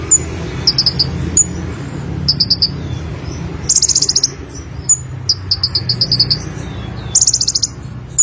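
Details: Vigorous olive-backed sunbird song: quick high trills, clipped doubled and tripled notes and thin whistles come in fast succession, with a couple of longer rapid buzzing trills.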